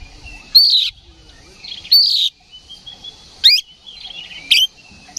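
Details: Aggressive oriental magpie-robin song meant to provoke rivals: loud buzzy phrases and sharp rising sweeps repeated roughly every second, separated by quiet gaps.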